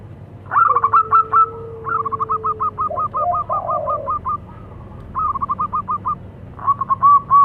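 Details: Zebra doves of the local type, male and female, calling back and forth: long runs of rapid, evenly spaced staccato coos repeated in several bursts, with a smooth falling low whistle-like tone early on and background hum.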